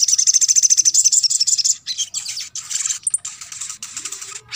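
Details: Crimson sunbird (sogon) song used to stimulate quiet birds into singing: a rapid high trill of evenly repeated notes for nearly two seconds, followed by looser, scratchy bursts of chirping notes.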